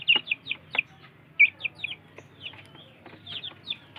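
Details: Village chicks competing for food: a series of short, high cheeping peeps at an irregular pace, some loud and some softer, with faint low background noise.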